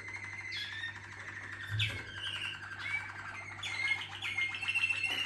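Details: Waterslager canary team song: continuous soft trilling broken by clear rising whistles and short bright flourishes, a brief low thump near second two, steady background hum throughout.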